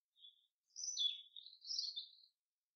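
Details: Common chaffinch in the forest: a short soft note, then a high sweeping phrase dropping in pitch and a buzzy rolling ending, lasting about one and a half seconds.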